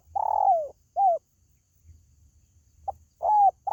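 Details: Spotted dove calling, a sound for luring home-kept birds: a long burry falling coo and a short arched coo, a silent stretch, then a clipped note, another arched coo and the start of the next coo.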